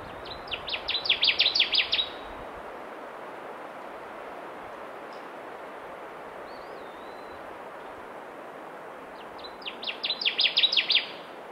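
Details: A male Connecticut Warbler singing on breeding territory high in tamaracks of a spruce-tamarack bog in the boreal forest of the western Great Lakes, as a thunderstorm approaches: two loud, chanting phrases of rapid repeated notes growing louder, about eight seconds apart, over steady rushing background.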